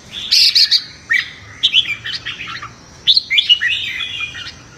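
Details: Red-whiskered bulbul in competitive morning singing, used for voice training and to provoke newly caught birds into fiery singing duels; bright, chirpy warbled phrases in three quick bursts about a second apart, with short rising and falling notes over a quiet background.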